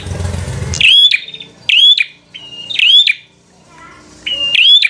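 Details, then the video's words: Bar-winged prinia in 'fighter' singing style, meant to rile rival prinias into fighting: after a second of low rumbling noise, loud sharp rising whistled notes with ticking clicks come in bursts about once a second. "Suara Burung prenjak | Prenjak Gacor Full FIGHTER Bikin Prenjak Jadi Emosi Lawan"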